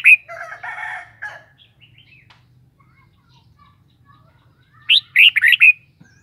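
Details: Cage-kept Red-whiskered bulbul: a harsh buzzy chattering burst opens, then after a pause comes a quick run of five bright whistled notes.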